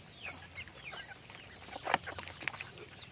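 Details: Pet chickens in a brief burst of high descending peeps and a few clucks, one sharper louder call near the middle, with a low steady hum behind.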